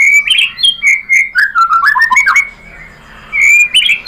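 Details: Song of a white-rumped shama, played to prompt other birds to answer: rich whistles and rapid warbled phrases slide downward, a brief quiet pause follows, then loud clear whistles return.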